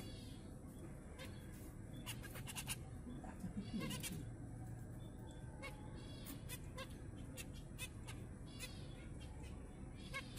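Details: Chestnut-flanked white zebra finches give short, nasal, toy-trumpet beeps over a steady low hum.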